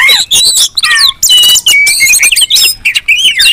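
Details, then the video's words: Oriental magpie-robin calling used as a lure to provoke other magpie-robins: crisp whistled slurs, buzzy rattles and short chips in quick bursts separated by brief silences. "Suara Kacer ribut Rame Banget sangat cocok buat pancingan"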